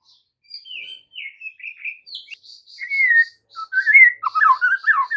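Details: White-rumped shama singing in the late afternoon as a lure to make young and adult shamas answer: a varied run of whistled phrases, first clear sliding notes near the top, then lower, richer warbled and slurred notes crowding together toward the end.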